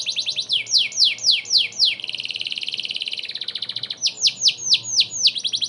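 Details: Canary song, energetic, serving as tutor audio for White-rumped Shamas: a string of falling whistled swoops, a long dense buzzy trill fading into quick chirps, then more repeated swoops.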